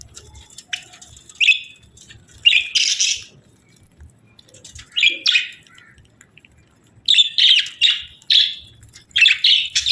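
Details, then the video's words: A breeding-season pair of budgerigars chirps in short bursts: scratchy, buzzy notes grouped in runs separated by brief quiet gaps, then a rapid series of chirps near the end. "Budgie Pair Chirping Sounds"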